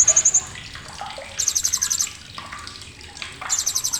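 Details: Blue-crowned hanging parrot, sharp chattering used to tutor contest songbirds: three bursts of shrill, rapid ticking trills, at the start, around one and a half seconds and near the end, with scattered lower clicks and rustling between them.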